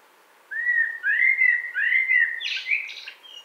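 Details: Common blackbird singing in spring woodland, 2017: low fluted whistled phrases around mid pitch, three warbled notes followed by a higher scratchy twittering flourish at the end.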